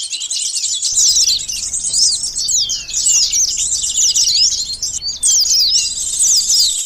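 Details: Lure recording of sunbird song: a continuous stream of very high, sharp chirps and quick up-and-down slurred notes, with one brief gap near five seconds.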